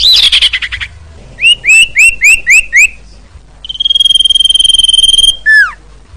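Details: Common iora singing, a recording meant for luring birds: a buzzy trill, five rising chirped notes in quick succession, a long level whistle lasting over a second, then a steep downslurred note.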